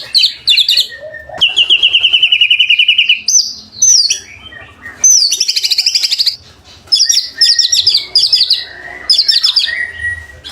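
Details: Vigorous white-rumped shama song used as a trigger for other shamas: a long, even rattling trill of rapid repeated notes, then bursts of very high, squeaky twittering phrases broken by brief pauses.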